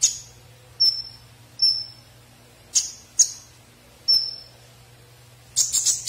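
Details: Konin songbird giving a series of piercing high whistled notes, each starting with a sharp click-like attack and trailing off flat, roughly one per second, ending in a burst of rapid chattering notes; low electrical hum beneath.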